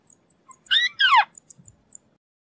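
White-browed crake giving two harsh, nasal notes in quick succession, the second sliding steeply downward; a few faint ticks and soft low sounds around them.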